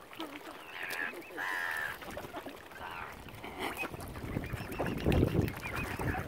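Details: Angry mother swan at Lough Neagh, Ireland, by Oxford Island Nature Reserve in County Armagh, hungry after algae killed her normal food supplies; nasal, drawn-out honking notes in short bursts, over low rumbling wind and water noise.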